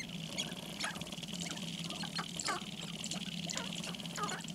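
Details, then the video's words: Sharp-tailed grouse dancing on a lek near Baudette, Minnesota: several birds overlap in a steady run of short clucking and cackling notes over a low constant hum. "Sharp-tailed grouse lek"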